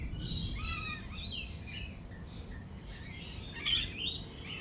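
Several lorikeets give shrill, overlapping chirps and screeches in quick bursts, over a steady low rumble of thunder and rain.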